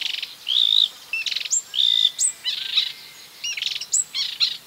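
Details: Marsh warbler (Acrocephalus palustris) mimicking other birds: clear whistled slurs alternate with sharp high ticks and raspy bursts in a quick, varied medley.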